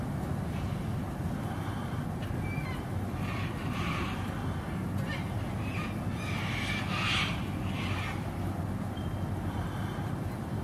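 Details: Cockatoos lined up along overhead power lines in an early-morning rain shower give harsh, raspy screeches of delight in a few bursts, loudest midway through, over a steady low rumble of rain and wind.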